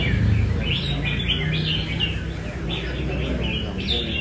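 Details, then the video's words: Nam Đông red-whiskered bulbul trying its 'cafe' song during practice in Da Nang: a string of clear, slurred whistled notes, each sweeping up then down, repeated rapidly over a deep constant hum. "Cb Nam Đông Test nhẹ cafe-Chào mào cafe"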